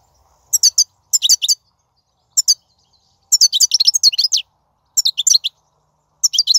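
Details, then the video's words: Wild European goldfinch song recorded in 2019, used to stimulate caged goldfinches to sing: bright, high twittering bursts of rapid tinkling and buzzy notes, in clusters separated by short pauses over several seconds, no other sounds. "بتبتة الحسون , (بتبتة برية 2019)"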